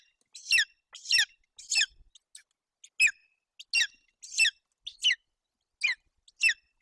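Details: Begging golden eagle chick at a nest in Bucovina, Romania, June 2021, awaiting roe deer fawn from its mother: high, shrill squealing notes in a less even series, some clustered, some spaced out.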